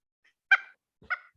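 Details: A Pileated Woodpecker, in a recording played back during a November field trip, gives two loud, ringing, slightly nasal calls about half a second apart that carry a great distance; a faint thump sits under the second note.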